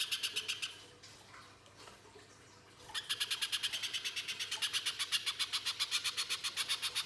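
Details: Harsh 'mbeset nembak kasar' song of a little spiderhunter, used as a lure to prompt singing: a few rasping notes, a quiet pause of about two seconds, then a long rapid run of buzzy notes.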